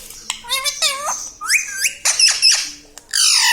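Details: Pet parrot that says mithu mithu, mummy and papa. A fast string of harmonic, bending syllables sounds like chattered words, followed by a couple of harsher notes and a loud sustained squawk at the end.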